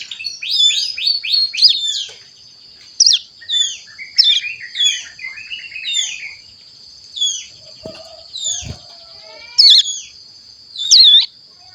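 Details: Caged Javan sun-blue robin about one month old practising song: a quick run of descending high chirps, then spaced single sharp whistled notes every second or so, with a couple of low thuds.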